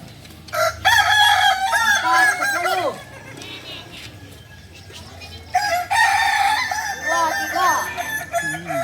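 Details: Kukuak Balenggek chicken, native singing breed of Solok, in crowing performance training: two long crow bouts of arched, harmonic syllables, the first ending near three seconds and the second starting after a quieter stretch.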